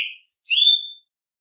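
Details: Orange-headed thrush, recorded to stimulate other birds to sing: a single brief high whistled phrase with a slurred note, then a buzzy descending flourish, ending abruptly.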